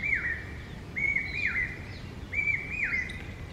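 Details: A common hawk-cuckoo, the brain-fever bird, gives shrill, whistled notes that slur downward, repeated in quick pairs about every second and a half over a low background rumble, in a forest setting in India.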